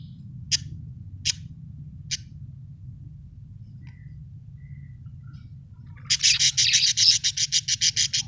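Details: Budgerigar chirping indoors: three short sharp high chirps about a second apart, then a fast run of rapid repeated buzzy chirps near the end, over a low steady background hum.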